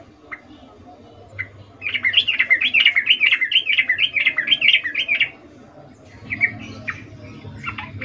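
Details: Yellow-vented bulbul in full voice, recorded in the wild. A bubbly, wavering series of quick rising and falling notes lasts about three and a half seconds, followed by a few scattered short calls.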